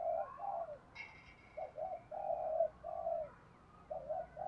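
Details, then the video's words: Decoy spotted dove's one-ending calling coo to attract males, native voice: soft, hollow, drawn-out coos heard over a steady background hiss, with a brief higher sound near the start. "Tiếng cu mồi thúc. gáy gọi kích bổi chuẩn / Cu gáy mồi gáy gọi 1 hậu / Chim cu gáy mồi kích trống"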